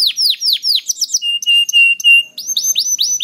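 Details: Canary song for coaxing other canaries to sing: clear descending whistled slurs, a few level sustained tones held about half a second each, then rising and falling sweeps again.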